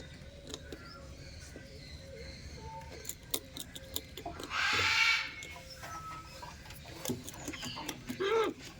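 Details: Breeding pair of macaws: one loud, harsh, grating squawk lasting under a second near the middle, set against soft background chirps, ticks and clicks from other small birds.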